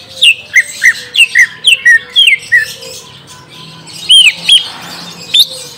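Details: Greater green leafbird luring song aimed at a young wild-caught bird: a string of quick hooked chirps, then a pause and a few louder rising-falling squeaky notes.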